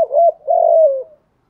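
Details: Single spotted dove phrase, used to get freshly caught doves cooing: a short low hoot followed by a longer, smooth coo that slides gently downward and fades.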